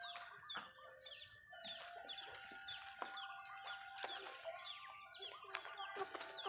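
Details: Feeding Malay chickens in a backyard: a continuous chorus of short falling chirps with steady tonal peeping underneath, sharp clicks of pecking at food recurring roughly every second.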